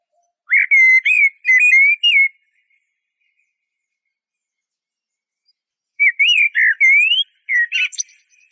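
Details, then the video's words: Two blackbird song phrases about four seconds apart, each a string of fluted, slurred whistles; the second ends in sharp high twittering notes. Quiet background. "تغريد طائر شحرور (جحمومية)Merle noir"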